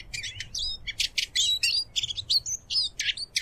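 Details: Eurasian siskin singing a rapid, high twittering phrase of chirps, trills and short whistled slurs, delivered in quick bursts with brief gaps and a faint low rumble behind.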